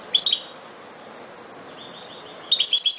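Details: European goldfinch (Carduelis carduelis parva) song: a quick, liquid jumble of high tinkling twitters, a pause with a thin sustained note, then another bright twittering burst.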